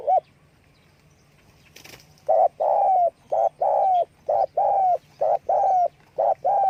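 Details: Spotted dove calling with wing flapping: a click, then a quick run of about a dozen mellow coos in pairs, short notes alternating with longer down-sliding ones. A single coo comes earlier. Close recording with a faint hum.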